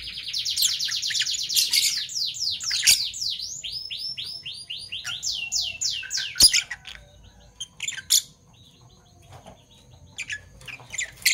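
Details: Morning chirping from Fischer's lovebirds of parblue violet and parblue turquoise colouring. Loud, shrill down-slurred chirps pour out in quick succession, then break into scattered sharp notes and short pauses.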